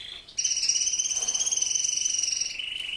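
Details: Male Spanish-breed canary (Raza Española) singing: a brief high note, then a long, even, buzzy rolled trill held steady for about two seconds before dropping to a lower trill.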